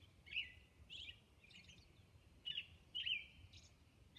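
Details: Robin at dawn on Orcas Island delivering separate whistled phrases with short pauses between them. Some phrases are bright and warbled, others thinner and higher, over quiet ambient hiss.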